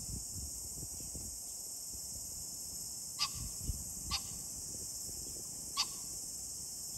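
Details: Green pheasant, 21 July 2024, uttering three short rasping bursts at uneven intervals of one to two seconds, over an unbroken shrill high drone and soft low background rumble.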